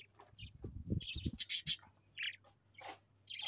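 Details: Several short, separated budgie chirps, sharp and squeaky, with a brighter whistled note in the middle. Soft low knocks come early on.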